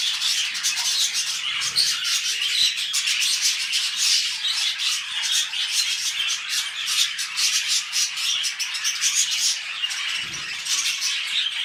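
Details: Pet budgerigars mating before a new clutch produce unbroken high warbling, rapid squeaks and chirps stacked densely, with two brief low bumps in the background.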